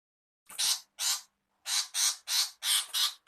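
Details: Female shrike giving repeated screaming calls, a harsh, raspy, noisy screech about three times a second, each burst short and rough, on a silent background.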